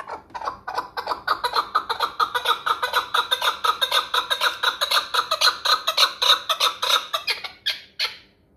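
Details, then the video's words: Hunting chukar partridge from the Pamirs calls in a rapid, accelerating chain of ringing chuck notes, over three per second at the peak, then trails off with a couple of final notes. "Кабки шикории Помир"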